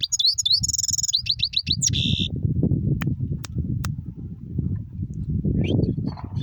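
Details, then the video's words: Rolling goldfinch song opens with quick high chirps and a buzzy trill for about two seconds. The rest is mostly low droning hum with a few sharp clicks and faint notes near the end. "Mast rolling singing #goldfinch"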